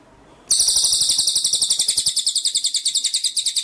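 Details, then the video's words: Cililin bird in vigorous song for a tutor recording: after a short quiet hiss, a very high, rapid trill of sharp repeated pulses continues steadily for over three seconds. "masteran cililin gacor"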